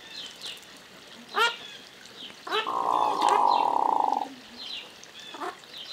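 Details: Hooded merganser (Lophodytes cucullatus) in courtship display in spring 2015 gives a low, rolling, frog-like croak lasting almost two seconds, with brief high chirps from other birds before and after.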